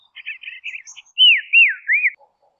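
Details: Dusky robin in Tasmania, Australia: a short burst of buzzy chattering notes, then three loud, clear whistles that each rise and fall in a smooth arch, in quiet surroundings.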